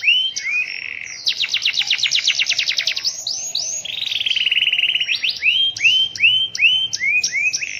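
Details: Canary in persistent rainy-season song featuring a long, distinctive roll. A low buzzy trill opens, then a rapid pulsed roll and a steady rolling passage, closing with repeated arched whistled notes.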